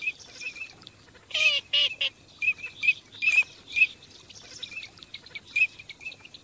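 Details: On migration, teal give bright, clipped whistles at a quick, irregular pace, broken early by a pair of rough, nasal, honking quacks, then more scattered high peeps.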